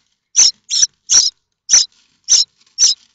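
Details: Common starling chicks at Théding, France, on 7 May 2024, begging for food in the nest; six quick, scratchy, shrill calls coming fast in close pairs and singles over three seconds.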